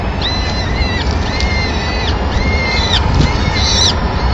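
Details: The peregrine female feeds the chicks a pigeon at a Madrid nest, 25 April 2016, after the watching male leaves; four drawn-out, even whistles with downturned tails come one after another over a deep rumbling background.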